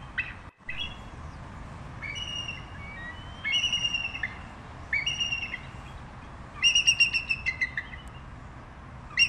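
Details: Bald eagle uttering drawn-out, harmonic-rich squealing notes spaced a second or so apart, then a faster burst of rapid, stuttering high notes near the end.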